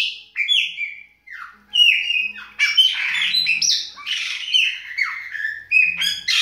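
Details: Bahian chopi blackbird singing a rich, varied song: descending whistled notes mixed with harsh, buzzy squawks and chattering warbles, phrases following each other quickly with short gaps.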